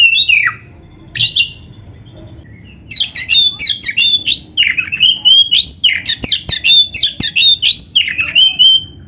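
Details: Oriental magpie-robin (kacer) in energetic full-repertoire song. A few whistled notes come first, then after a short pause a fast run of varied chattering and whistled syllables, about four per second, with sharp clicks mixed in.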